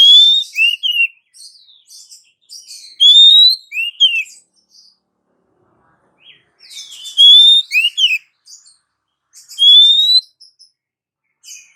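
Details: Female Oriental magpie-robin calling to the male. Phrases of a rising clear whistle plus a pair of hooked notes, wrapped in busy high twittering, repeated with a quiet gap in the middle.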